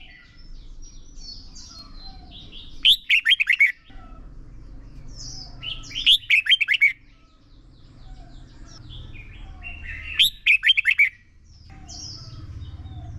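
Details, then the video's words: A decoy red-whiskered bulbul sings contest song to train other bulbuls, ép bổi sổ bọng và căng lửa style: three short, loud bursts of rapid rich notes about four seconds apart, soft whistles between, over a steady low background noise. "Chào mào mồi hót đấu quá tuyệt!! - Luyện giọng Chào mào hót hay ép bổi sổ bọng và căng lửa"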